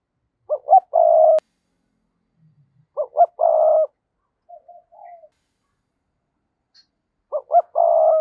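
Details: Decoy spotted dove cooing to lure wild doves. Three matching low phrases come roughly every three seconds, each made of two quick rising notes and then a longer steady coo. Softer short notes fall between the phrases.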